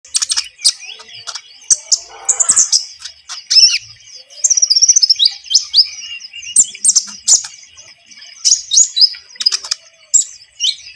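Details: Javan munia song used as a lure for bird trapping: rapid high chirps, buzzy trills and short whistled notes in busy bursts, one quick chattering run near the middle, with brief pauses between phrases.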